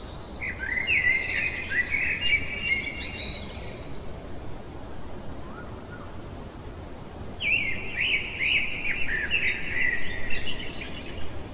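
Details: Common blackbird singing in the heart of the night: two fluted, warbling phrases in a mid-high pitch, each ending in a scratchy twitter, separated by about four seconds of quiet over a steady low background hiss.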